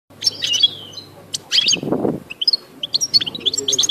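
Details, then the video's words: Wild European goldfinch singing together with a canary: bright, high twittering phrases, quick chirps and short rising slurs, broken by a brief lower rustling burst midway, then rapid clipped notes. "حسون خلوي و كناري في أجمل السلاكة"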